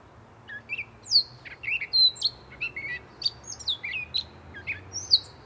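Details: A gray catbird delivers a long, rambling medley of squeaky, whistled and slurred notes, each phrase different, some sharply descending, others buzzy chips, strung together without pause over faint low background hum.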